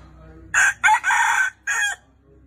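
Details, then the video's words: Red junglefowl crow in four harsh segments: two short opening notes, a longer strained middle note and a clipped final note, all within about one and a half seconds, over faint low background hum. "GÀ RỪNG GÁY CHUẨN 100%"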